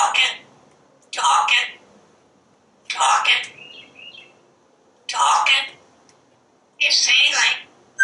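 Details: Pet parrot chattering nonstop on a screened porch as it watches squirrels and birds, five loud, breathy, speech-like phrases spaced roughly two seconds apart, with a brief whistled note after the third.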